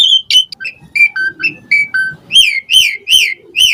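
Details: Clear whistled phrases from an Asian pied starling, played as a lure for other starlings to answer. Falling whistles step lower, then turn into loud, repeated rising-and-falling whistles about every half second.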